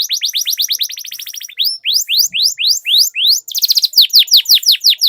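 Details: Domestic canary singing a long rolling 'ngerol' master song used to lure other canaries into singing; fast series of descending swept notes, then slower downward slurs and a rapid high trill.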